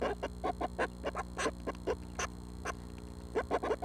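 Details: Seven Northern Flicker nestlings in the nest about a week before fledging, recorded June 12 at 6 am: rapid, buzzy, harmonic-rich chattering notes in quick irregular bursts, with a steady low hum underneath.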